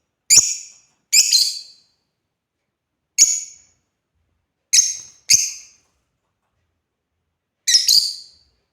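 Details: Scattered harsh chirps from playing African lovebirds: six short piercing notes spread over nearly nine seconds, a couple in quick pairs, separated by long silent gaps.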